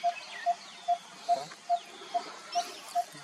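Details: Malabar barbet in the Western Ghats of India: a hollow, low note repeated steadily about every 0.4 seconds, eight notes in all, with faint chirps and whistles of other birds higher in the background.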